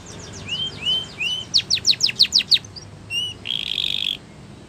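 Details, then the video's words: Spanish Timbrado canary training song: a few rising slurred whistles, then a run of about six sharp downward sweeps, a short whistle and a buzzy, rolling trill. "The Best Spanish Timbrado Song For Training Your canary !! Make Your Canary Singing Again"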